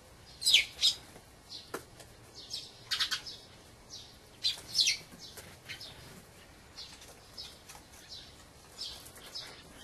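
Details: Dusky thrush, a wintering bird that has migrated from a far northern land, giving short, sharp, high chirps in irregular clusters, some doubled or tripled, with quieter calls in between.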